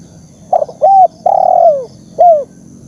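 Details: Zebra dove, called terkukur, calling as a lure and training sound: a few quick clipped notes lead into a sustained coo bending down at the end, then a short falling coo.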